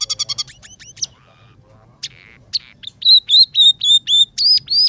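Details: Scaly-breasted munia in lively song with fill-ins borrowed from house sparrow, red siskin and canary: a quick rattle, scattered high squeaks and slurs, then a steady series of loud, clear whistled upslurred notes about three per second.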